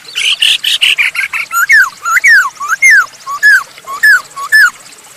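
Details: Masked laughingthrush singing to lure other birds into song: rough opening notes, then a steady series of loud, downward-slurred whistles about twice per second.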